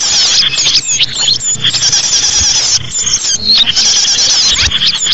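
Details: A flock of small birds chatters in lure audio for trapping small birds, a busy stream of shrill chirps and trills with short dips in the calling.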